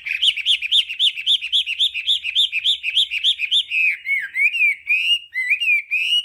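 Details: Hwamei đảo âm song: a fast, even run of bouncing whistled notes, roughly four a second, then slower, drawn-out looping whistles that dip and rise again.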